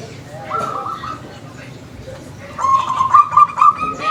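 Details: Wild zebra doves answering each other, recorded as a lure sound: a brief soft note run early, then a rapid, bubbling series of staccato cooing notes over steady background hiss.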